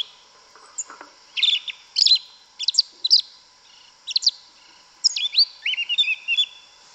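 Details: Yellow-legged thrush, known locally as sabiá una or sabiá preta, singing its wild forest-style song (canto mateiro) in the woods: a run of short, high, varied chirped phrases with quick pauses, ending in a longer warbled, sliding passage.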